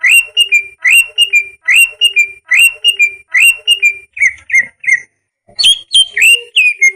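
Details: Greater green leafbird training song: steady series of ringing whistled phrases, each a sharp upward sweep then level notes, repeated roughly every 0.8 seconds, then shorter dropping notes and a brief pause before varied higher whistles.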